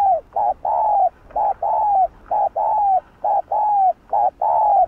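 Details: Fast, continuous spotted dove cooing in the hạp bổi style, alternating short clipped coos with longer falling notes at about one per second, loud and close.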